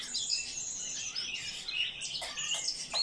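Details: Eurasian blackcap song: hurried chattering warble of high notes ending in a few sharper, clearer whistled notes, with soft clicks near the end.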